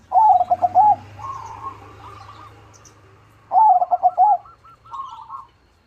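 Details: Loud-voiced crossing perkutut, the zebra dove, delivering two strong pulsed coo phrases nearly four seconds apart, each followed by softer rolling trills, with further quiet trilled coos in between.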